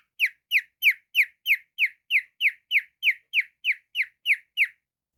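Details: Household cockatiel, called naughty, repeating a sharp downslurred chirp fourteen times in steady rhythm, about three per second, then falling silent.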